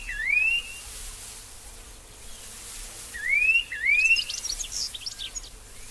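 Restless Flycatcher giving clear, rising whistled slurs, one alone and then a quick pair a few seconds later, over a steady soft hiss.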